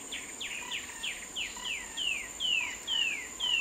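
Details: A short-tailed babbler delivers a series of downward-slurred whistles about twice a second, the notes growing longer and clearer toward the end, against continuous high-pitched insect noise.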